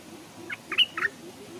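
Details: Caged Stripe-throated bulbul decoy hung near a stream; three short, rough, squawky notes, the middle one loudest, against a quiet backdrop.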